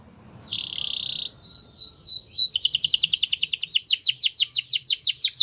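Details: Belgian canary song for prompting other canaries to sing: a flat buzzy trill, four falling whistles, then a fast rolling series of falling notes.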